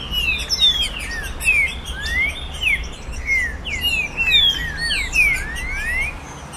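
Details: Trinca-ferro, the green-winged saltator, singing 'virada caratinga' tournament song to excite a captive bird: rapid phrases of bright, sliding whistled notes, some rising and some falling, with steady high-pitched chirping behind.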